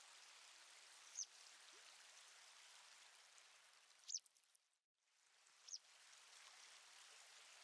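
Citrine wagtail giving three brief, thin, high call notes a few seconds apart over a steady rushing hiss of running water.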